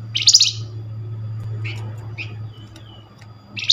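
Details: A Flamboyan call played as a lure to get other Flamboyan birds to answer: a loud, rasping, high chatter at the start, then a few soft chips and another harsh burst at the end, over a low hum.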